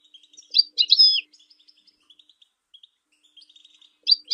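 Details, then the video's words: European goldfinch song meant to teach and stimulate other birds: a few loud, tinkling, slurred phrases at the start and end, with a scatter of soft, dry ticking notes between. "The Art of Goldfinch Singing"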